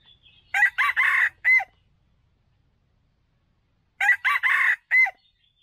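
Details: Crowing of a red junglefowl cock, a lure call for bird traps: two four-syllable crows about 3.5 seconds apart, choppy opening notes, a drawn-out rasping middle, a bright whistled tail, faint low rumble between.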